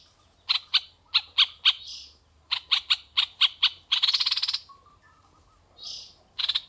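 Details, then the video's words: Red-eyed bulbul, described as a strong, steady singer, giving rapid bursts of sharp repeated notes around a high pitch, then a fast buzzy rattle and a softer slurred note, with low background hum. "MERBAH LEKIR PADU"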